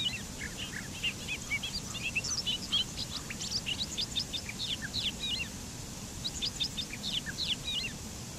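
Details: Bobolink song heard at some distance: a fairly quiet, continuous stream of short, rapid, tinkling notes with a soft background hiss.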